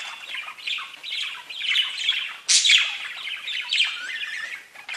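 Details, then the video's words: Parakeets exchanging chirps and whistles as contented song; a continuous, scratchy high warble swells and fades, with one sudden loud squawk partway through. "Parakeets Bird Chirping and talking to each other"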